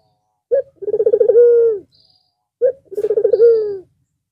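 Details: White, red-eyed Barbary dove cooing again after a long rest over the Eid al-Fitr holiday: two coos, each a short sharp note, then a fast run of rolling pulses flowing into a long, steady, slightly falling tone.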